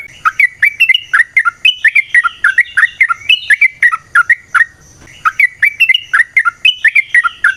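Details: Sooty-headed bulbul in varied ngecuplik-style song, played to spur other bulbuls into song: dense, quick, bouncing chirps with up-and-down inflections, repeated in two similar long phrases.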